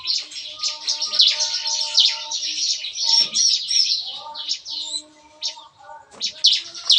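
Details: Morning aviary chorus of captive bar-winged prinias, busy and gunfire-like: fast, dense high chattering that thins after four seconds into scattered sharp chirps, with steady low tones in the background.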